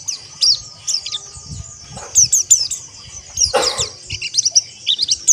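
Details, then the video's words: Chorus of many white-eyes singing together in ombyokan style, used as a training track so caged birds learn rough ngeriwik trilling and ngalas: dense overlapping high twitters and chirps, a brief burst of flapping, low knocks underneath. "Terapi Pleci Ombyokan Agar Ngeriwik Kasar Dan Ngalas"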